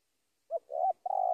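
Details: Rival-calling spotted dove: a clipped opening coo, a longer mellow coo, and a sustained vibrating croo that is still going when the sound ends.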